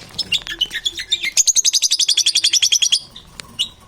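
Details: Lovebirds making strange sounds and crunching chatter: a few varied high chirps, then a fast, even run of sharp, shrill ticking notes for about one and a half seconds, ending in scattered squeaks.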